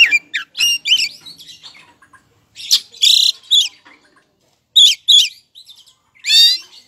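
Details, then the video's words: Oriental magpie-robin, a kacer, singing energetically as bait to make rival magpie-robins answer: rapid whistled and slurred notes mixed with loud harsh rasping bursts and sharp squawky chatter, with brief pauses between phrases. "Sedang diputarkicau suara burung kacer gacor ngotot, buat pancingan kacer lain agar mau nyaut gacor"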